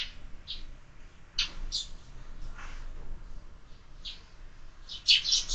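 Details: Sparrows at a window-mounted feeder in the morning, giving short scattered chirps at intervals, some doubled, with a louder burst of chirping near the end; quiet indoor background.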